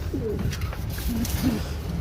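A pigeon gives low, soft, rolling coos in a quiet indoor space.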